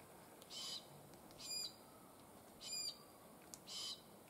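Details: Calls of glossy black cockatoos (Calyptorhynchus lathami): four rasping, scratchy squawks roughly one per second, with faint clicks and a soft tick between them over a steady hiss.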